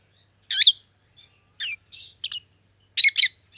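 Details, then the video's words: Rosy-faced lovebirds of white-headed opaline colour mutations, one pallid and one green, utter a few shrill, squeaky chirps spaced by pauses, ending with a loud double chirp. "Rosy-Faced Lovebirds - Chirping and Call Sounds"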